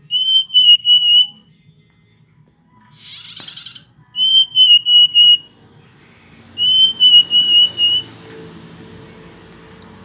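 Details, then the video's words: Hill blue flycatcher giving three phrases of steady whistled notes, each a quick string of four or five, with brief high flourishes between and a short rustling noise midway. "burung sikatan ninon/burung sikatan biru muda ngoceh"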